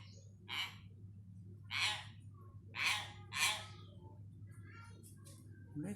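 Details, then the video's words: Hill myna imitating words while learning vocabulary, kept indoors. Four rough, breathy word-like syllables, the last two close together, over a constant low hum. "Burung beo belajar kosakata"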